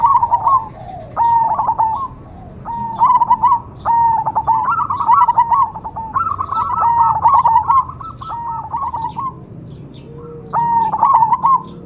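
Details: A cemani perkutut zebra dove coos in a series of stuttered, hollow phrases, some bunched into a longer run, others separated by quiet spells, ending with a final burst; low background hum.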